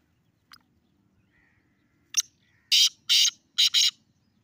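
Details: Black francolin perched on top of a rock gives its call: a faint click, then a sharp note followed by four harsh, buzzy, broadband bursts delivered in a rapid, uneven rhythm over about a second and a half.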